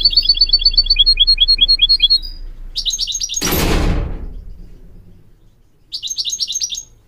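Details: Goldfinch tutor song for teaching young hybrid goldfinches and canaries, with rapid high chirps in a repeated pattern and buzzy bursts. A loud whooshing noise cuts in around the middle before the twittering resumes.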